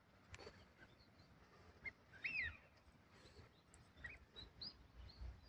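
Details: {'caption': 'Bird at Jizo Pond park, Ōasa-chō, Zentsūji, Kagawa, Japan, captured on a Sony Xperia phone: a faint, quick descending whistled note amid scattered soft chips and quiet outdoor background.'}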